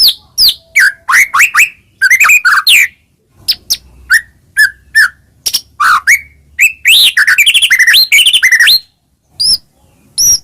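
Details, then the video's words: White-rumped shama pouring out a long, richly varied song used to train and stimulate other shamas: sharp chips, whistled slurs and rapid warbled bursts in changing phrases, with short silent gaps between. "burung murai cocok untuk masteran gacor isian banyak"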